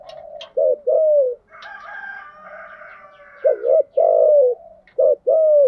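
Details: Spotted dove cooing as a decoy for wild doves: soft paired coos at the start and end, with a longer harmonic crow-like call overlapping in the middle.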